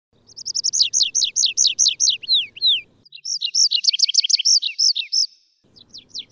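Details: Wild Atlantic canary song: fast trills of descending whistled notes repeated in phrases, a pause, then another rapid run of rising-falling notes and a brief closing series; faint low background hum.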